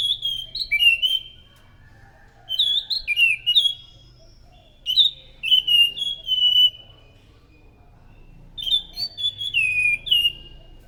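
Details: Orange-headed thrush song used to lure other thrushes: four bursts of loud, clear whistled phrases with falling slurs, separated by silent gaps of about one to two seconds.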